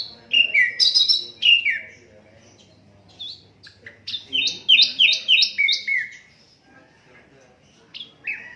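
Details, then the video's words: Asian brown flycatcher in unedited recording meant for tutoring other songbirds: varied sharp chirps and slurred whistles, then a quick series of high, falling whistled notes, ending with scattered short notes over faint low background hum. "Sikatan londo durasi 15 menit, Reall No editan, cocok buat masteran semua burung"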